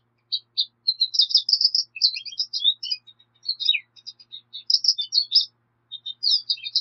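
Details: High twittering song of a Black siskin, bursts of rapid chirps and buzzy slurred notes broken by brief gaps, with downward-sliding notes mixed in.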